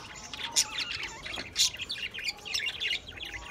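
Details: Chattering budgies from 28 April 2023 give a rapid jumble of high, twittering chirps and warbles, with strong accents at irregular intervals of about a second.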